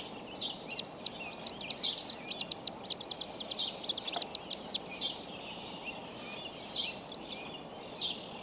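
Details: Bald eagle eaglets at the Decorah nest on 14 April 2012; many thin, high chirps follow in rapid, uneven clusters, thickest in the first half, over a steady broad hiss.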